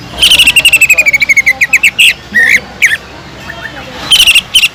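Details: Greater green leafbird song containing imitated kingfisher notes: a fast run of high chips that slowly drops in pitch, then a few separate rising whistles, and a final short burst of rapid notes.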